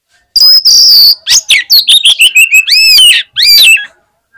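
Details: Oriental magpie-robin fighter bird at a song contest, its singing said to provoke other magpie-robins into rapid response. Long piercing whistles, then a quick run of sharp chips and arching, dropping whistled notes, loud and continuous.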